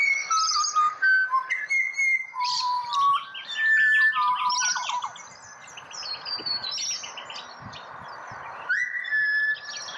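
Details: Singing pied butcherbird in Australia, with a run of fluty, whistled notes stepping between low and mid pitch in the first seconds, then softer phrases under a steady backdrop of high chirping birds.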